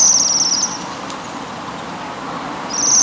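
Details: Brief high metallic trills of Waxwings feeding on rowan berries open and close the moment, with a quiet, steady background hum in between.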